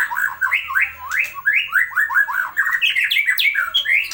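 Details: White-rumped shama song used for tutoring, made of loud, repeated downward-slurred whistles delivered in quick succession, mixed with higher upswept notes and a few harsh squeaks.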